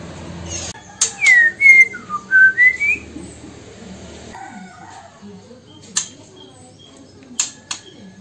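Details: White-rumped shama of Sumatran origin, recorded in Bengkulu city, sings a burst of five clear whistled notes, sliding down then rising in pitch, followed by sharp clicks and tapping sounds.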